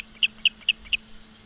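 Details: Osprey calling at a nest in Charlo, Montana, 15 August 2023: four short, piercing high chirps spaced evenly, then quiet apart from a faint steady hum.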